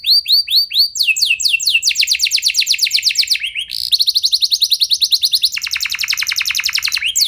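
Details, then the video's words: Canary singing to stimulate other canaries to sing long rolls. Slurred notes lead into successive tours of rapid, even trills, the last one lower-pitched and buzzy, each abruptly switching to the next. "Ampuh Buat Merangsang Emosi Burung Kenari Lain Biar Gacor Ikut Ngeroll Panjang"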